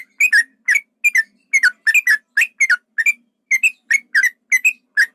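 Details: Yellow-vented bulbul, male, singing a 'ropel panjang' fighting lure meant to agitate other bulbuls: brisk paired whistles with quick up-and-down inflections, repeated in clusters with short pauses between.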